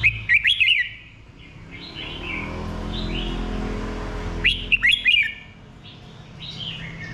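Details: Red-whiskered bulbul song, two lively phrases of rapid, tumbling whistled notes about four seconds apart, with quieter chirps between them and a faint low rumble underneath.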